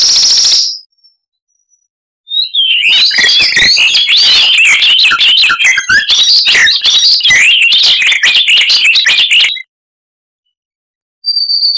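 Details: Icterine warbler giving loud, varied song with mimicry: after a thin high whistle, a continuous run of scratchy chatter and twisting whistled notes lasting about seven seconds, then a high tone.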